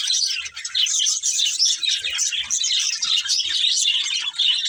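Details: Several budgies chatter steadily, a busy mix of high twittering chirps and warbled notes with a few soft low thumps in the background.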